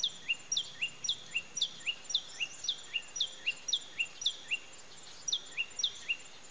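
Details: A common tailorbird, recorded 31 May 2017, repeats a sharp, high two-note phrase, a falling whistle and then a lower chip, about four times a second over a soft background hiss.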